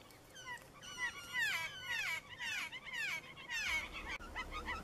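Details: Blue Jay begging call, a quiet interpair call made by young offspring and adult females: a rapid run of harsh, nasal, descending squawks, about two per second, rising in intensity through the middle.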